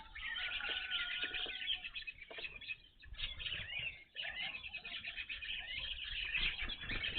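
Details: Several evening grosbeaks gathered at a feeder, never before seen at this watching site, give a steady stream of rapid, overlapping chirps, about four per second, broken by two short lulls and some wing flutter.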